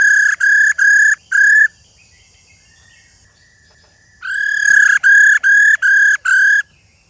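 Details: Loud flat whistles from an old wild-caught female silver-eared laughingthrush, meant to excite males to sing: four notes, a pause of about two and a half seconds, then six more evenly paced notes.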